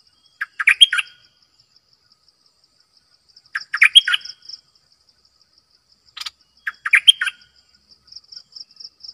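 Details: Bulbul kept as a decoy bird singing short, rich warbled phrases about three seconds apart, each a quick cluster of bubbly notes, over a faint steady high pulsing buzz in the background.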